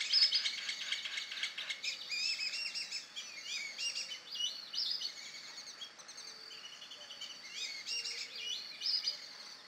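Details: Young male Amazon kingfisher singing in vegetation bordering a lagoon in a park in Campinas, São Paulo, Brazil, at 07:32 on 2 April 2016: rapid, high, scratchy chirps in quick overlapping bursts over a faint hum; a flock of black-bellied whistling ducks also calling.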